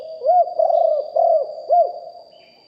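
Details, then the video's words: Spotted dove used as a calling bird, big-voiced cooing in lew hoi or kuk hoi style, live recording: four soft, arched coos, two long and level in the middle, ending on a short rising-falling note, steady high hum behind. "นกเขาใหญ่คับ birds - Ep 1 เสียงต่อนกหลิ่วห้อย เสียงใหญ่#2 & 4กุกห้อยเสียงใหญ่ บันทึกเสียงสด"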